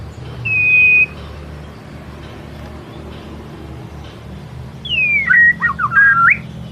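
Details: White-rumped shama song in the energetic "ngelemak" style, used as a lure to draw out a shama's repertoire: a single steady whistled note, then after a pause a fast run of swooping, warbled whistles over low background hum.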